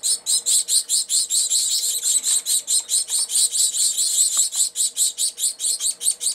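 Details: Three Gouldian finch chicks, 22 and 23 days old, in an open nest being fed by their mother, January 13, 2009: rapid, high, hissy begging notes pulsing about twice a second in a steady run.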